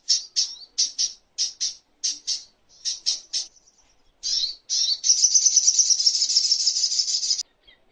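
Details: High, sharp slurred notes given in quick pairs and triplets, then a brief pause before a sustained, rapid buzzy trill. The little spiderhunter recording serves as tutoring material for songbirds and for calming birds.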